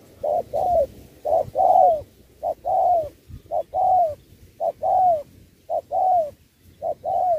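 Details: Spotted dove competing in a 2024 singing match, 'Thúc' style combined with 'Bo', changing phrasing like a wild bird: clear evenly spaced coo pairs, a short hoot and a longer descending coo, about once per second.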